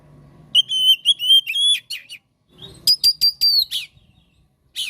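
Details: White-rumped shama song used as a master and prompting recording for show birds: clear whistled notes, a sustained tone, then rapid repeated whistled strokes ending in a rough slur, in two phrases.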